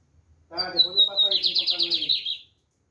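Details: Singing lined seedeater, called black bigodinho: a sharp whistled note falling slightly, followed by a quick buzzy trill of about ten pulses. A man's voice talks over the first part.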